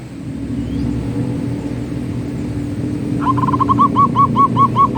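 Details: Perkutut, the zebra dove, in manggung song: after a quiet stretch of low background rumble, a burst of soft cooing notes begins and keeps repeating at an even pace until the end.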